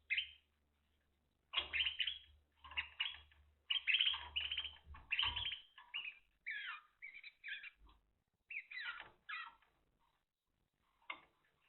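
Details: Timbrado canary song recorded in 2023: a long run of rolling, warbling and chattering phrases with brief pauses, some rapid rattled passages and a faint low hum early on.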